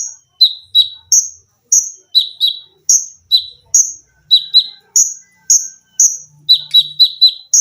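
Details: Konin, the olive-backed sunbird, singing hard in a cage-bird training recording featuring tembakan rapat and lengkingan: piercing high notes switching between two pitches, paired and single, repeated roughly twice a second.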